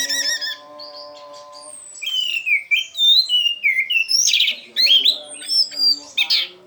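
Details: Teler-style song of an orange-headed thrush, used to lure a silent orange-headed thrush. A steady harmonic drone plays beneath, then loud varied whistled phrases swoop up and down in rapid succession, with some buzzy notes mixed in.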